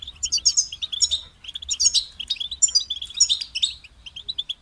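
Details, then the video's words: Goldfinch song: rapid liquid twitters and trilled phrases, high and bright, delivered in short bursts about every second with small gaps, over a quiet low background hum. "Highlighting motivating songs for creative goldfinches in simple ways"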